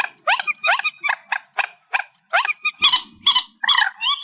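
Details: Reed warbler, amplified: quick series of rising, slurred harsh notes repeated rapidly, shifting to buzzier, rasping chatter in the second half.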